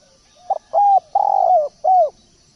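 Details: Energetic spotted dove giving one cooing phrase: brief doubled note, level coo, extended burry coo dropping in pitch, and a closing curved coo; no other sounds stand out.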